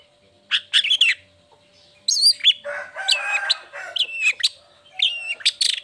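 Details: Long-tailed shrike, locally cendet, singing in a lure for lazy or moulting shrikes: varied chattering phrases mixing scratchy notes, bending whistles and a buzzy warbled passage, over a faint constant hum.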